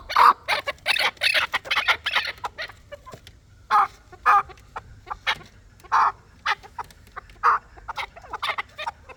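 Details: Chukar partridge kept for fighting, giving a burst of fast rough clucks followed by single loud chuck notes spaced one to two seconds apart.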